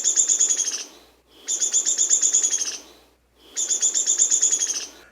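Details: An eastern Downy Woodpecker song, three quick whinnies of two to four high, sharp notes each sliding down the scale, about every two seconds.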